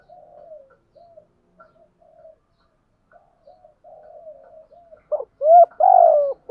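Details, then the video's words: Spotted dove lure recording with male and female birds in thúc gù and gáy gọi styles, used to excite trained doves. Soft, broken, low cooing murmurs build into two or three loud, full coos at the end. "Tiếng chim cu gáy mồi giọng lôi cuốn hấp dẫn đủ bài[ THÚC GÙ , GÁY GỌI ]"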